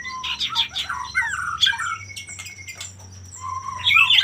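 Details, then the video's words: Male common iora singing loudly, used as a lure to provoke rivals into singing: rapid, varied chirps, squawky notes and slurred whistles, with a thin sustained high tone running through and a long steady whistle near the middle. "pancingan burung sirtu/cipoh gacor jantan bikin lawan ikutan gacor"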